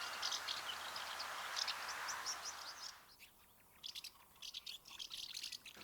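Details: House martin twittering, as males do chattering at an old nest or new nest site to attract a female during pair formation: quick, dry, high chirrups in irregular bursts, against a steady rushing hiss for the first three seconds.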